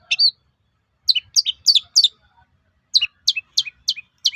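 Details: Long-tailed shrike song used to incite other shrikes to answer: sharp downslurred two-part chirps delivered in quick runs of four or five with short pauses.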